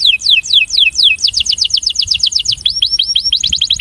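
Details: High whistled song from a breeding male canary, sung for attraction: slow falling slurs speed up into a rapid even trill, then a run of upward-hooked notes.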